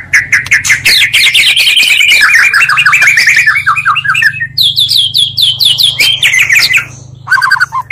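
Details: Oriental magpie-robin song doubled from two of the best current singers to stir rival birds: a long continuous stream of fast warbled whistles, then higher clear slurred notes in a rhythmic series.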